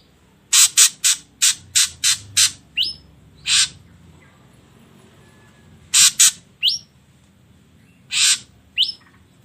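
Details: Ashy drongo lure recording to provoke other birds to sing: a rapid series of harsh, scratchy chips, then swooping rising whistles and a longer rasp, against a faint low background hum.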